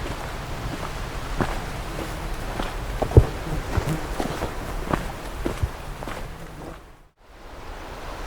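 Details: Footsteps crunch at an uneven pace over background noise, followed by a short drop to near silence.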